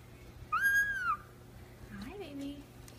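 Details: Pet Indian ringneck parakeet whistling indoors: a loud clear whistle that rises slightly and then falls over half a second, followed by a quieter low, wavering voice-like note.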